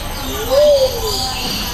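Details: Luzon bleeding-heart at Jurong Bird Park gives a single soft, low coo that swells upward then sinks away over about a second, with faint voices and crowd hubbub behind.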